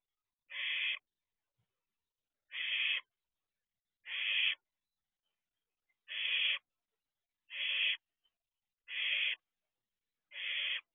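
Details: Young barn owl at its nest box before dawn in early June 2023, peering outside, gives seven rasping hiss-screeches in a steady series, roughly one every one and a half seconds, with quiet between them.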